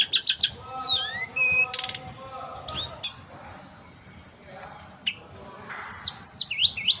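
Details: Ashy tailorbird, locally tledekan gunung, singing in the full wiksar style: quick high chirps, sharp downslurred whistles and short buzzy bursts in uneven clusters, with a brief pause midway, over faint steady low humming tones.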